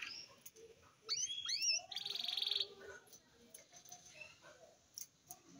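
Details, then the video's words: Eight-month-old red siskin starting its song: a few quick rising whistled slurs, then a dense buzzy trill of under a second. Softer scattered chips follow over a faint background hiss. "filhote canela com 8 meses abrindo o canto"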